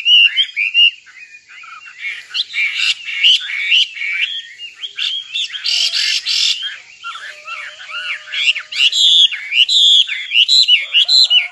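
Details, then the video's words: Nightingale song with mixed phrases: warbled notes, scratchy broadband bursts, a short low whistle and sharp rising chirps, rich and changeable throughout. "Singing nightingale. amazing bird song"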